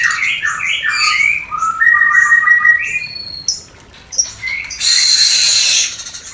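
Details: White-rumped shama mating call for stirring breeding desire in a new pair: rapid chirping notes, then a sustained warbled whistle, a pause, and a burst of harsh buzzy noise.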